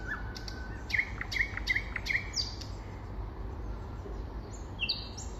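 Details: Spring song of a common nightingale: a row of four crisp, evenly spaced chirped notes, then pauses and a few high descending whistles against a constant low rumble.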